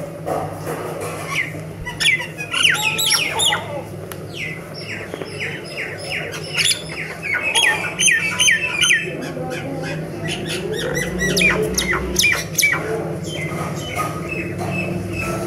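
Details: Mynah bird singing a long, busy mix of rapid chirps, squawky notes and short whistles in uneven bursts, with a steady low hum underneath throughout.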